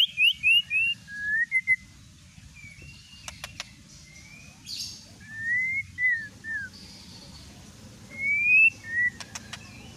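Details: Lure song of a white-rumped shama, intended to trigger other shamas to sing: thin high slurred whistles in short series, separated by pauses, with a few sharp clicks over a steady low background hum.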